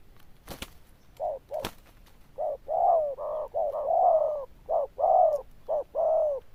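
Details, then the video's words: Zebra dove giving a loud, full coo: a run of short and longer purring notes in a steady mid pitch, some with a rolling, rising-then-falling contour, after two sharp clicks at the start. "Đồng Chuông Lớn Tiếng, Nước Gù khá Tốt"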